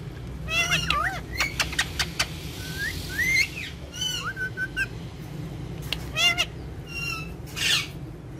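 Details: Two pet Indian ringneck parakeets, described as friends that dance and talk, give a series of whistled, bending calls and sharp upslurred notes in short bursts, with a steady low background hum throughout.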